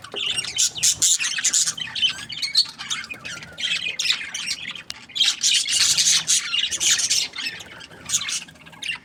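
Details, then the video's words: Budgerigars chirp and squawk busily, with many short, scratchy notes packed into clusters that rise and fall in loudness throughout. "Budgies Parrot chirping sound | parakeet sounds"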